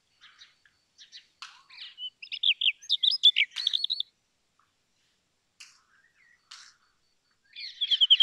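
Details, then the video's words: Brown rock chat song: scattered sharp chips give way to a bright run of rising and falling whistled notes, then a pause and a short chattering burst at the end. "Brown Rock Chat Call ! Brown Rock Chat Song ! Brown Rock Chat Sounds ! Brown Rock Chat Voice"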